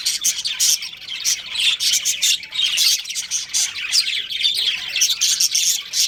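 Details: Pet budgerigar breeding pair in continuous busy warbling, rapid overlapping scratchy chirps and squeaky whistles that rise and fall in loudness every second or so.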